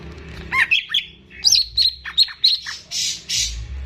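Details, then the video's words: Greater green leafbird kept caged as a training model, giving a short burst of sharp whistled chirps and downslurred notes, ending in two harsher rasping calls. "CUCAK IJO GACOR || PAS BUAT PANCINGAN BURUNG BAHAN"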